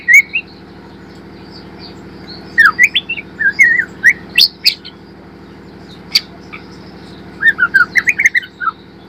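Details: White-rumped shama song used as a lure to train birds to sing: bursts of varied whistled and chattering phrases, rising and falling notes in clusters, with gaps, over a steady low mechanical hum.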